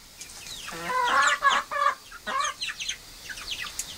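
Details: A Friesian cockerel, described as a bit of a bully, gives a harsh, harmonic crowing call with several stacked syllables over about three seconds, followed by fainter clucks and other bird sounds.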